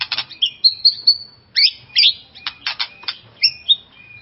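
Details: White-rumped shama song to excite a rival shama: high whistled slurs mixed with harsh rasping bursts, delivered in short varied phrases with brief breaks.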